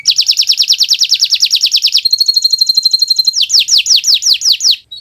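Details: Gacor Kenari Nusantara canary, recorded for young birds to learn from: a fast rolling trill of sharp slurred notes, a thin high sustained whistle, then slower, stronger falling chips.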